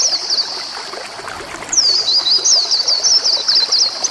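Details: White-eye (pleci) song played to help young birds sing and relax: a thin, very high twittering line of quick wavering notes, fading then returning, over a steady trickling water background.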